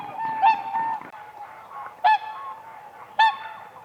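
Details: Whooper swans on a spring lake, dancing on ice: three loud bugling honks with rich harmonics, spaced about a second apart, over a background of softer distant swan calls.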